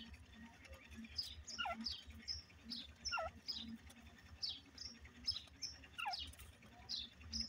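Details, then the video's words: Grey francolin calling in the breeding context: faint, repeated harsh notes sweeping down from high to mid pitch, given in a steady rhythm about once a second, over a low background rumble. "grey francolin bird ki boli,tetar breading"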